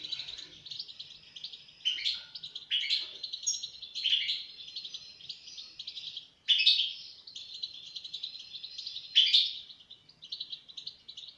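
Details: European goldfinch giving sustained high twittering with sharper accented chirps every couple of seconds, against a light background hiss.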